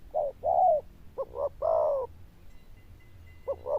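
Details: Loud bell-voiced zebra dove giving a short mellow coo, then a quick double note and a long warbling coo, with a faint steady tone and low hum behind.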